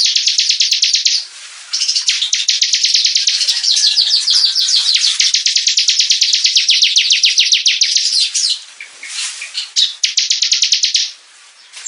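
Bar-winged prinia giving a fast, high, ringing run of repeated chirps, about three or four notes a second, with brief pauses between bursts.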